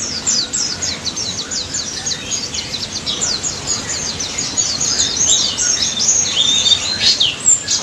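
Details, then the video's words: Singing pleci daput, a white-eye, delivering long 'ngalas' song to coax silent birds into replying: quick, evenly spaced high chips about two or three per second, building into a busier whistled twitter near the end. "BURUNG PLECI DAPUT GACOR NGALAS NEMBAK || PANCINGAN PLECI BISU DI JAMIN NYAUT"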